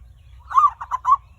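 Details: Single phrase of zebra dove lure song, used to prompt other birds to sing: a rolling coo of three quick pulsed notes ending in a drawn-out note, with a faint low hum behind.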